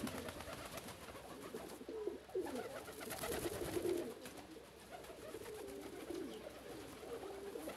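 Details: Homing pigeons calling in joy on being released, including a white pigeon; low, throaty rolling coos come in short phrases, mixed with rustling, flapping and faint background noise.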